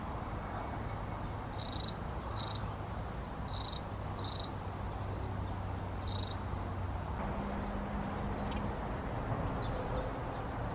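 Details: Long-tailed tit calling: short sharp stacked notes repeated at uneven intervals over the first seven seconds, then several thin, high, trilled see-see phrases, over a steady low rumble of background noise.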